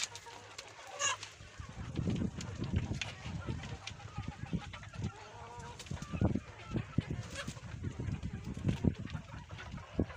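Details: Farmyard chickens in a barnyard coop, screaming while trying to lay eggs: a loud, harsh, high squawk near the start, then a run of low, rough clucks and short grunting notes through the rest.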